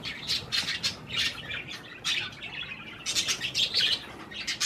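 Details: Pet budgerigars feeding on cherry tomatoes, with harsh, buzzy chirps coming in bursts about every half second and a denser chattering run near the end.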